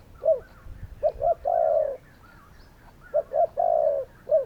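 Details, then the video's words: Spotted doves calling: paired short low coos followed by a long falling coo, the phrase given twice, with soft chirping behind. "Spotted doves calling!"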